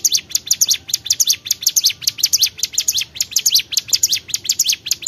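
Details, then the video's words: Energetic Bar-winged prinia song made of fast, sharp, high tweets repeated in close clusters, a dense continuous chatter. "CIGUN GACOR"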